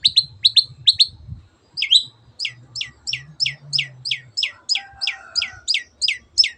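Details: Long-tailed shrike in energetic song, used to make quiet birds join in: quick clipped chirps in threes, then a steady string of short downslurred notes about two per second, over faint low rumbling.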